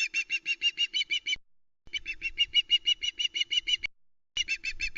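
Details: Osprey, likely the female Vera, calling at the Loch Arkaig nest, Arkaig Community Forest, 1 September 2020, around a live flatfish delivery: rapid runs of high, sharp whistled notes, about three per second, in bursts with brief pauses; faint low rumbling.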